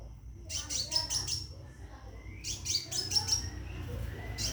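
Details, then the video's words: A caged scarlet minivet gives its mating call to a female: two quick clusters of sharp, high chirps with whistled accents, separated by a brief pause, over a low hum. "Burung Seppah Raja Gacor Di Dalam Sangkar panggil betin kawin"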